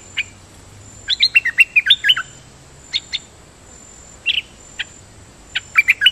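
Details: Dok Taeng bird kept as a decoy singer, doubling its phrases: an opening chirp, a quick rattling series of falling notes, then spaced pairs and short clusters of bright chirps.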